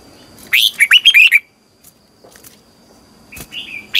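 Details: Red-whiskered bulbul, a caged bird trained to sing in the morning in Vietnam: a quick run of about six rolling whistled notes, then quiet clicks and a soft rising note near the end.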